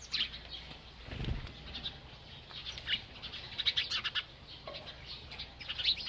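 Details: A bird keeps chirping as it eats, with quick high tweets in irregular runs and a short low thump or flutter early on.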